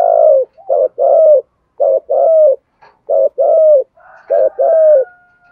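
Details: Spotted dove cooing as a lure to provoke wild males; low, soft hooting notes in paired and triple phrases, each about half a second long, repeated with short gaps.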